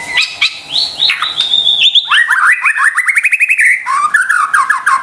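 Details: White-rumped shama lure song meant to provoke stressed or silent caged birds into singing: rapid varied phrases, high sliding whistles then a fast rising trill series, ending in lower warbled notes.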